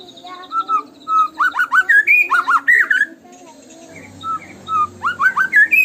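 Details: Tembakan song of the white-rumped shama, used to get caged birds singing loudly: short flat whistles leading into a rapid series of upslurred, ringing notes, a pause, then the same pattern starting again.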